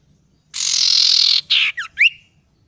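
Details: Young male common iora learning to sing in gocor style: a long harsh hissing buzz, then a shorter buzzy note, a quick falling slur and a sharp rising whistled note.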